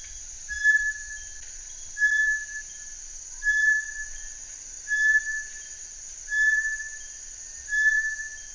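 Bartlett's Tinamou gives pure, level whistled notes, repeated about every one and a half seconds, over a steady high insect drone.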